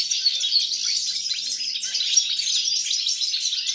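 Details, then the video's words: Goldfinch song on 29 December 2022, rapid tinkling twitter interspersed with clear whistled notes and chattering trills, flowing without a break. "GOLDFINCH SONG"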